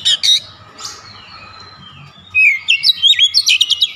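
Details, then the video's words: Oriental magpie-robin delivering "nembak" song: two loud opening chips, a lull of soft drawn whistles, then a lively run of sharp, rapid notes. "KACER NEMBAK NEMBAK BONGKAR ISIAN"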